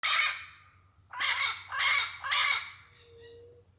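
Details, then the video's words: Parrot free in the wild, giving harsh, raspy squawks: one long call, a pause, then three loud grating squawks in steady succession, followed by a faint steady tone and a low background hum. "Papagaio mostrando o seu lindo canto, solto na natureza."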